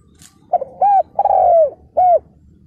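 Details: Decoy spotted dove on the ground, calling to lure wild males into a trap in 2022: a loud, low coo phrase of four rounded notes, with one drawn-out, slowly falling note in the middle and a brief pause before the last note.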